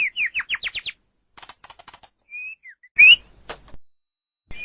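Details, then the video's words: White-rumped shama song used as a training recording for captive songbirds: a quick run of rising whistled notes, then scattered clicks, a short clear whistle, and a loud buzzy burst. "Ocehan Suara Burung Murai Batu"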